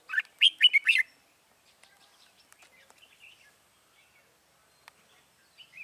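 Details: Decoy red-whiskered bulbul luring wild bulbuls for trapping on 21 January 2018, opening with a quick loud cluster of warbling notes, followed by faint scattered chirps and clicks.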